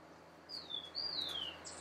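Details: Black-capped Tanager (Tangara heinei) at Sachatamia Lodge, Ecuador, in May 2012, giving two thin, high, downslurred notes about half a second apart, then a brief sharper chip, over faint background hiss.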